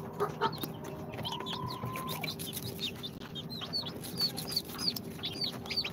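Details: Two-day-old chicks of Sultan, Golden Sebright, Cochin and booted breeds, hatched from an incubator. Sparse high peeps become more frequent toward the end, with a brief flat mid-pitched tone early on and a constant low hum.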